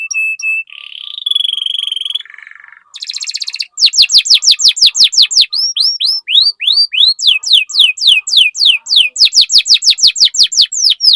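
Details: A 'gacor' canary singing nonstop as a lure for other canaries. A steady whistle and a rising buzzy phrase lead into a long run of loud, quick downward-sweeping chirps repeated about three per second.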